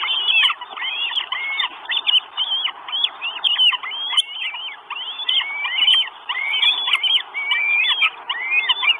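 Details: Four Northern goshawk chicks at a nest in Estonia, 1 June 2022, begging for food: dense overlapping squealing, wavering calls, rising and falling, repeated rapidly throughout, with faint ticking clicks above.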